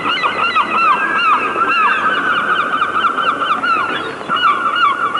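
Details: A chorus of wild birds in nature: steady, overlapping, arched chirping notes repeat rapidly and continuously with little pause.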